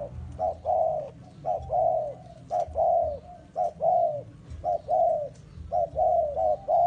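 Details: Spotted dove bait bird for forest trapping calls steadily, about eight two-note coos in a row, each short note leading into a longer descending coo.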